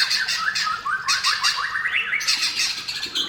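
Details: White-rumped shama singing to lure shamas into song; fast, harsh rattling notes climbing in pitch, delivered in a rapid chattering run.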